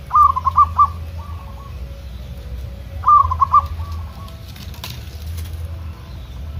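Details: Wild-trained local perkutut (zebra dove) answering wild doves in kerot ntretek style: two crisp trilled cooing phrases, each trailing into softer notes, a short flutter-like burst midway, constant low rumble beneath.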